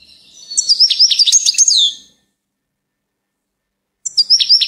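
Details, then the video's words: A goldfinch sings a bright, rapid jumble of high twittering notes and tinkling trills, pausing briefly before starting another burst; goldfinch song. "Gold finch TOP SONG"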